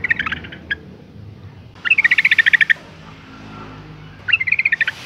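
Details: Female yellow-vented bulbul calling to stir males into singing: three bursts of rapid, harsh chattering notes near the same pitch, each run lasting under a second, separated by quiet pauses over faint low background hum.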